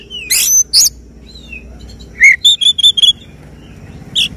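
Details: Oriental magpie-robin singing in a contest, the 'tembakan' sought by judges: a few harsh bursts, then a quick series of short clear repeated notes, ending with one more burst.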